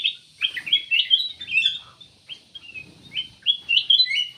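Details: Cucak emas delivering loud, rapid chattering phrases of bright whistled and chirped notes in two bursts, fairly close and clear, with a short quiet break between.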